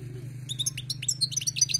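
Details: Wild-caught European goldfinch giving a rapid continuous stream of tiny high tinkling, chirping notes, fairly soft, over a steady low electrical-sounding hum.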